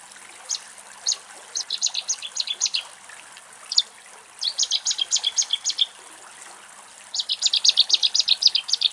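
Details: Cetti's warbler in Axios Delta National Park, Thessaloniki, Greece, near a little egret colony, giving three loud, explosive bursts of quick, clipped notes, each lasting about a second or two, with a faint trickle of water behind.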